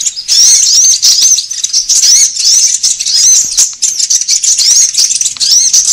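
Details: High-pitched sunbird calls used as a lure to attract birds and to tutor caged songbirds: rapid, shrill chattering of sharp arched squeaks, in bursts with a couple of brief dips.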